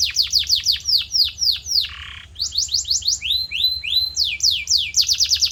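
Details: Canary singing in a training recording meant to stimulate and shape song: rapid series of high descending whistled sweeps, a brief lower harsh rasp, then rising and falling whistled notes repeated quickly.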